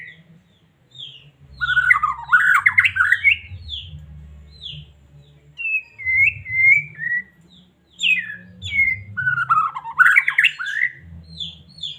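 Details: White-rumped shama from Medan singing to trigger a caged bird's song; bursts of loud, rapid whistled warbling alternate with clearer, slurred whistles and short pauses, over a low hum.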